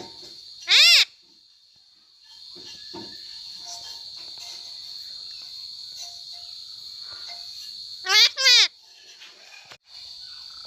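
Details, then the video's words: A pet talking parrot gives two loud, harmonic, squawk-like vocal bursts, one near the start and a doubled one near the end, over a steady high-pitched hum and faint background sounds. "This is my talking parrot"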